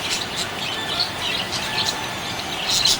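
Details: Happy budgie chirping: a steady stream of high, scratchy chirps and short warbled notes packed closely together over a constant background hiss.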